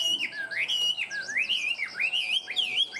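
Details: Tame Chinese hwamei kept as a cage bird, singing loud, fluid whistles that swoop up and down in rolling loops, each phrase about half a second long.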